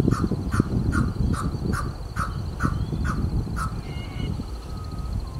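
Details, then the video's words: {'text': 'Male pheasant coucal perched in Townsville, Australia, calling around 8 am during February to March; a steady series of about nine evenly spaced, short harsh notes over heavy low background rumble.'} "The Pheasant Coucal Different Calls"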